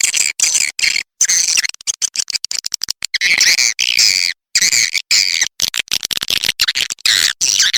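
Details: Swiftlet calls used to attract swiftlets: dense, high, buzzy twittering in fast chirping bursts broken by brief silent gaps.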